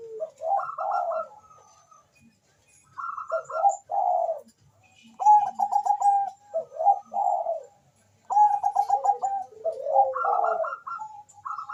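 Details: Zebra dove of the Bangkok type singing tirelessly, a recording meant to stimulate mating and song: several phrases of quick stuttering coos rising to a higher roll, spaced by pauses of a second or two.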